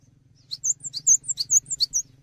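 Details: Bright burst from a gelatik batu, the cinereous tit, used to tutor songbirds: roughly ten quick, high, seesawing chirps in under one and a half seconds, with a steady low hum underneath.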